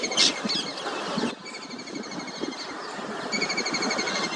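A kingfisher gives rapid, harsh, high-pitched trilled rattles in bursts of a second or more, over steady background rumble that sounds like distant traffic.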